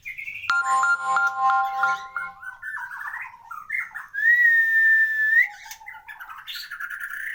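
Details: Caged white-rumped shama praised as a champion bird with a complete song repertoire: varied warbled phrases and a long steady whistled note, with a ringing bell-like tone near the start.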